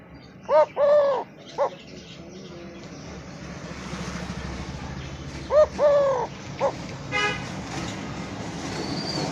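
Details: A kept Eurasian collared dove in a village: two three-note cooing phrases, short-long-short, about five seconds apart, over a steady hum of distant traffic.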